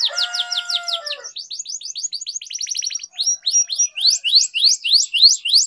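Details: Long rolling canary song meant to coax young or silent canaries into singing: quick downslurred chips, a fast even trill of short notes, then loud rising sweeps repeated about twice a second.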